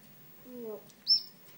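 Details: A pet African grey parrot gives very soft little calls, meaning he wants to come out of his cage: a low murmuring note, then a single short, high whistled chirp; the room is otherwise quiet.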